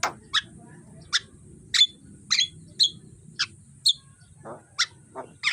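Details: Morning Javan myna sounds recorded for training birds: sharp, high, scattered chirps and short squeaky notes, each separated by about half a second of quiet, with a few lower rough notes.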